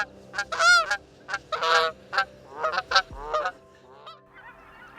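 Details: A typical Canada goose call, given to contrast it with the cackling goose: loud, nasal honks, about five in five seconds, some rising then breaking, over a faint low hum.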